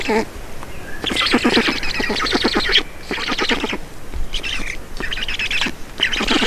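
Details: Black storks at a nest in Estonia during a feeding, 4 June 2019 at 18:07: rapid rasping, chattering bursts in bouts of about a second or more, separated by brief pauses, harsh and squeaky in tone.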